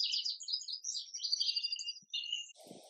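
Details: Indigo bunting song: a dense run of high, bright, sharp chirps and short whistles lasting over two seconds, ending in a brief broadband rustle or knock.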